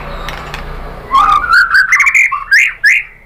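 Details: A white-rumped shama sings to provoke other birds: after a quiet start, a rich warbled phrase of rising, slurred whistles bursts out, ending in two loud upswept notes.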